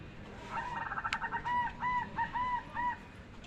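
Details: Zebra dove call: a quick stutter of short notes that slows into several longer, rounded, mellow coos, evenly spaced, against a steady background hiss and one sharp click.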